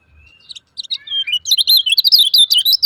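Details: Lemon-bellied white-eye call used to provoke quiet birds into singing: a thin whistled opening note, then a quickening burst of high, squeaky chirps and trills that grows louder and denser toward the end.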